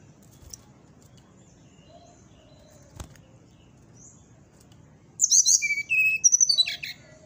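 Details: Brown-chested jungle flycatcher, a caged bird, sings after a long quiet stretch: a two-second run of sharp high whistles, falling and rising, delivered in rapid repeated pulses, with faint background hum and a click.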